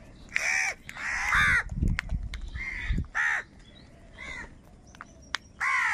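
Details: Wild crows fighting for food call with loud hoarse caws in uneven bursts, mixed with low thumping knocks.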